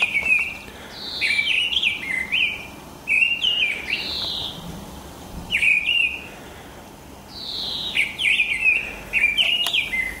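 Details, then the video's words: Mistle thrush singing on a morning in March or April 2010: loud, clear fluted whistled phrases with rising and falling slurs, given in short bursts separated by brief pauses, with no other sounds standing out. "Misteldrossel mit Gesang"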